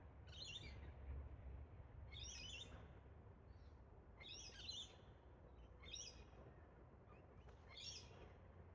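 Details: Rose-breasted Cockatoos, a wild mated pair of Galahs in trees at an Australian park; a series of six rasping, shrill bursts, each under half a second, repeated roughly every one to two seconds with low rumble beneath.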